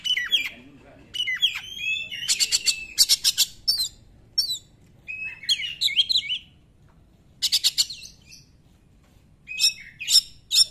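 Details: Oriental magpie-robin 'nembak' song, used to spur reluctant magpie-robins into singing: short bursts of rattling, buzzy notes and rising whistles, separated by brief silent pauses.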